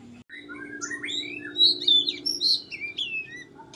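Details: Wild white-rumped shama near a house, giving varied whistled and chirping phrases that jump between low and high pitches, irregularly spaced, over a steady low hum.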